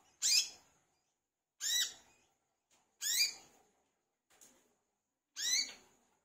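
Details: Brown-throated sunbird calling actively, for encouraging kept birds to sing: four strong, piercing upward-swept notes and two faint short ticks. The notes are irregularly spaced one to one and a half seconds apart, with a quiet background.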